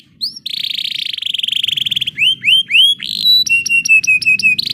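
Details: A canary rolls through its song as a tutor recording: a sustained buzzy trill, three rising whistled slurs, then a string of clipped metallic pips and a final burst of buzz, over a faint low hum.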